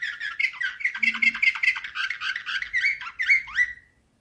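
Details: Slavujar-style canary song, 2024, a continuous fast stream of chirpy rolls and trills ending in a rising, then falling, whistled note; faint low hum underneath.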